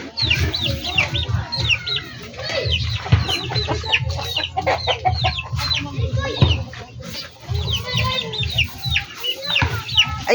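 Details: Backyard poultry flock of chickens: a busy chorus of many overlapping, high, descending peeps over ten seconds, with constant low rumble and occasional clucks and soft voices.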